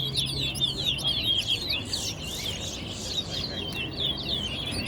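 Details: Towa towa (large-billed seed finch) singing during a bird competition at Guyana National Stadium: fast run of sweet whistled and twittering phrases, sliding up and down, over low crowd noise and voices counting aloud.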